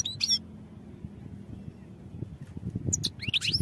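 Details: European goldfinch song for training: a brief high twitter at the start, a quiet gap, then bright chirping, slurred notes returning at the end over low background rumble.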